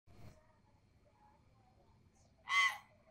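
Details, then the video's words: Young common hill myna being taught to talk, gives a single loud, harsh, raspy squawk about a third of a second long near the end, after a faint short sound at the start and quiet room background. "BURUNG BEO REMAJA BELAJAR BUNYI"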